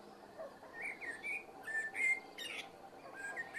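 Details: Common blackbird singing in the evening, slow and relaxed: mellow whistled notes slide and warble, then a sharp burst of high squeaky twitter follows, with soft fluting again at the end.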